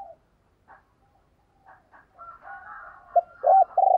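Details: Decoy spotted dove used to provoke other doves into cooing: faint scattered notes, then soft warbling sounds, ending in loud, low, hollow coos that come in short bursts.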